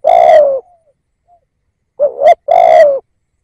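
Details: Calling decoy spotted dove meant to attract wild doves: a long rough coo closing one phrase, a pause with a faint soft note, then a short rising coo pair and another drawn-out burry coo.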